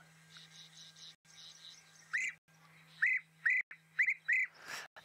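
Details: European bee-eaters flying high overhead at sunset on 4 December 2016 give liquid, rolling 'prruip' calls, about six in three seconds, over a steady engine hum and faint twittering; the guide links them to coming rain.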